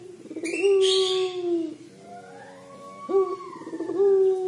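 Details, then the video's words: Collared dove (puter pelung) in its crying style: a long low coo that fades downward, a quieter softer middle note, then two more rising-onset coos held steady and low. "Suara Burung Puter Pelung Menangis"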